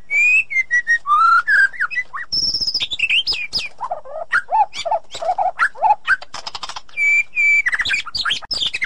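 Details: Edited song of a white-rumped shama intended to revive a silent bird: loud, continuous, highly varied phrases of slurred whistles, chatters and rapid notes shifting between low and high pitch.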